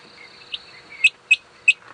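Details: Harlequin quail call played back during an April sunset safari drive in South Africa: sharp, high, metallic notes, three strong ones about every third to half second, over faint background hiss.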